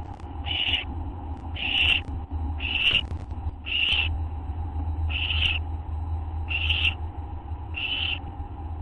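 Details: Nighttime owl sounds, August 24, 2011 at 11:04 PM: repeated short, scratchy hisses arriving about once a second, a few faint clicks between them, with a steady background hum.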